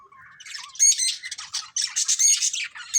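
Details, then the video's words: Colourful pet budgies in a family group chirping: a quick jumble of high, scratchy squawks and warbling chatter, rising in intensity after the first second. "Cute Colourful Budgies Chirping Sounds"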